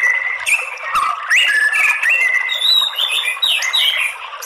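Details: White-rumped shama song, played as a lure to provoke males into fighting song: varied clear whistles, rising and falling slurs with sliding notes, loud and continuous.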